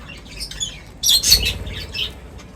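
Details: Birds gathering at feeding time let out a sudden loud cluster of shrill chirps and squawks after a quiet start, then a few fading tweets.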